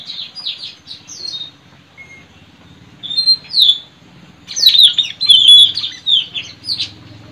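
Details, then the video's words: White-rumped shama in the wild, recorded in forest during bird trapping: high whistled notes and quick sweeping slurs, building into a dense, fast run of varied twittering phrases toward the end. "Suara Mp3 puling//Tajaling//tanau"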